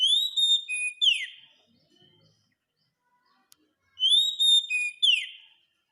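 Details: Oriental magpie-robin (kacer) song used as masteran training material for caged birds: a loud, clear whistled phrase with a rising sweep and a downward slur, then a pause before the same phrase returns about four seconds later. The background is quiet.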